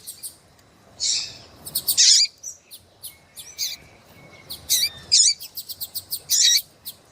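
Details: Calls of a breeding-condition female Double-collared Seedeater meant to stir a male: scattered high ticks, a few loud squeaky bursts, and one faint thin whistle held in the middle.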